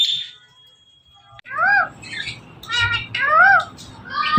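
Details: Male pet Indian ringneck parrot, watching its own videos, produces a thin held whistle, then several arching, meow-like calls spaced about half a second apart over faint room noise.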